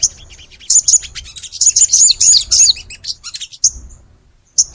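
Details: Long, energetic crimson sunbird song in the gacor style: dense bursts of very high, sharp chirps and quick warbled phrases, pausing briefly, then single high whistled notes.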